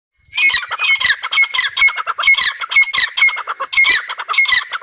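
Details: Grey francolin (teetar) calling loudly, a harsh, rapid series of squawky notes with thin whistled overtones, repeated in bursts of roughly a second without pause throughout.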